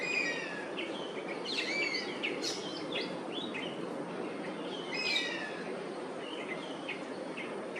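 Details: Oriental honey buzzard perched and protesting as Oriental pied hornbills crowd its Singapore roost, while its companion circles overhead. Bunched, descending whistles with sharp overtones come in two bursts amid a steady noisy background.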